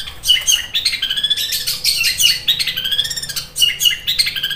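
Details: Long-tailed Shrike copying sparrow calls while in fighting form, sewing-machine sharp: continuous loud grating chatter, clipped chirps stacked in bright harmonics, delivered in quick stuttering volleys.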